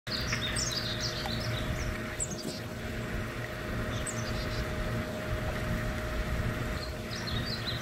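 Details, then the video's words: Male painted bunting singing in northwest Fort Worth, Texas: short, faint, high, sweet warbled phrases repeated every second or two, set against strong low rumbling traffic noise. "Male Painted Bunting Song Call"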